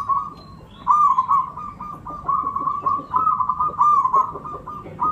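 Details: Local Javanese zebra dove song used as a lure to draw in other birds: a rolling series of rapid, bubbling coos at one steady pitch, delivered in several bursts with brief pauses between them.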